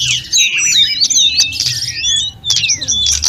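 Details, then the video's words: Snowy-browed flycatcher song meant to teach other birds: thin whistles sliding up and down mixed with quick chirps, pausing briefly midway before resuming. "Masteran sulingan gunung full isian || Tledekan gunung gacor || Sulgun nyuling-nyuling"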